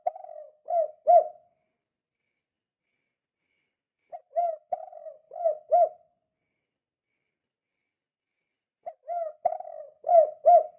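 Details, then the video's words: Spotted dove in kuk-kuk style, calling busily as a lure for other doves: three phrases of soft, hollow coos about four seconds apart, each phrase of four or five notes, with no background noise. "Suara Burung Tekukur Gacor Kuk 2 Sangat Ampuh Untuk Pancingan"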